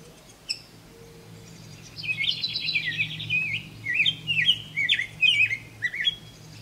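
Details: On a quiet, traffic-free morning on 11 June 2023 in Paris Township, Ohio, a rose-breasted grosbeak sings a rich, warbling phrase of sweet rising and falling whistled notes after a brief trill, over a faint low hum.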